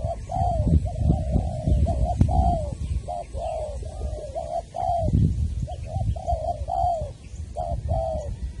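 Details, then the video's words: Spotted doves from Trà Vinh, Long Đức, Vietnam, heard during trapping of a wild bird with a decoy; soft repeated two- and three-note coos over heavy low rumbling noise. "Cu gáy Trà Vinh, Long Đức"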